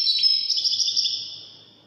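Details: A short stretch of European goldfinch widani song: bright, high, liquid twitters that soften and fade within two seconds.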